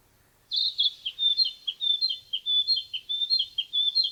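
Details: Narcissus flycatcher singing in forest: after brief silence, a loud run of clear high whistled notes alternating steadily, about eight paired phrases in under four seconds, quiet background.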